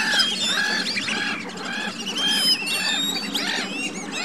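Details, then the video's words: Black-bellied whistling ducks give a chorus of high, squealing whistles, several birds calling over one another in quick, overlapping bursts. "Black-bellied whistling ducks vocalisation"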